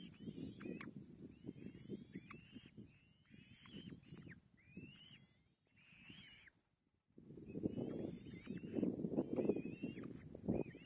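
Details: Young kite fed by its mother: a run of high, thin, whistled calls that slide upward and hold, uttered in quick irregular bursts. A short quiet gap falls mid-way, with dense low rustling before and after.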